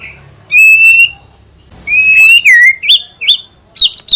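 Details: White-rumped shama singing to provoke answers from other shamas: a clean rising whistle, a pause, then a longer whistle twisting downward into quick high slurred notes and a burst of sharp chips.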